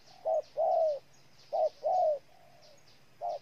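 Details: Spotted dove, Ninh Thuận, Vietnam, calling with a short coo followed by a longer, slightly falling coo, repeated twice, then a soft trailing note and another short coo, against quiet background hiss.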